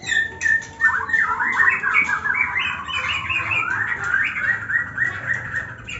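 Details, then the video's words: Murai batu, the white-rumped shama, giving ngetrek song: a quick chattering string of short up-slurred notes, about three per second, slightly uneven, following a brief whistled opening, with soft room noise behind. "ngetrek murai batu katarak dan murai batu bekas cabul"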